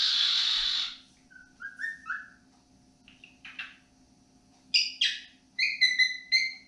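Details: Pet cockatiel whistling melodic tunes such as peek-a-boo in the evening indoors: a loud opening note, then short rising whistled phrases and bright chirpy upslurred notes in quick clusters.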